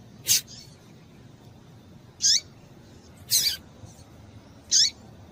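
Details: Female double-collared seedeater's call, used to stir a male into song: four brief, bright, high chips roughly one to two seconds apart, the third slightly doubled, with faint hiss behind.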